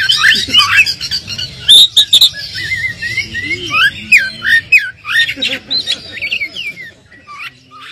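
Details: White-rumped shama song played to goad a caged bird into replying: a jumble of sharp squawks, clicks and slurred whistles, then a series of short descending whistled notes, somewhat quieter with faint background hiss.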